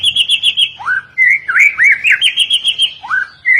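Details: White-rumped shama singing rapid repeated high chipping notes in a fast rhythm, broken by lower swooping upward whistles and rolling slurred phrases, loud and clear.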